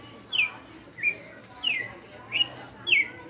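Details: Red-cowled cardinal in captivity, held five years, giving açoite-style song: a run of five bright, downward-slurred whistles repeated roughly every half second to second, crisp and high, with little else audible.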